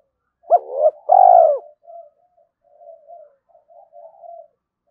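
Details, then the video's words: Spotted dove in early morning, cooing to provoke fighting and to lure rivals. One loud phrase, a quick double note and then a drawn-out coo, followed by a string of soft, low murmuring coos. "Tiếng chim cu gáy thúc đấu và chiêu bổi lúc sáng sớm"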